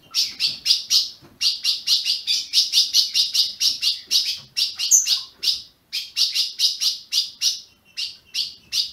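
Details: Captive-bred Brazilian ultramarine grosbeak calling in a fast run of sharp chirps, several per second, with a short gap near six seconds and a single high thin whistle among them.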